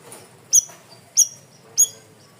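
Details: Cream-vented bulbul, from a loud and clear masteran training recording: three piercing, high, downslurred chips at even intervals of about two-thirds of a second, each ringing briefly, over faint hiss.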